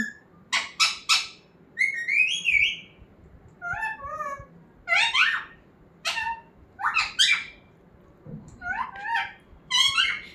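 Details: Talking parrot kept as a pet: a lively run of sharp chirps, rising squeaks and short warbled squawks in uneven bursts, separated by brief silences.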